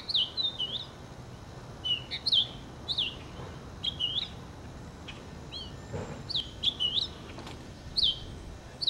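A purple finch sings quick, warbled phrases of high, slurred notes with brief pauses between bursts, over a soft background hiss.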